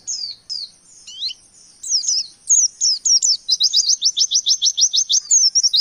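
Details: Oriental white-eye singing in the fast 'nembak' style, with variation material after wekwek, kowul and ciblek: high thin slurred whistles for three seconds, then a quick run of about fifteen sharp repeated notes.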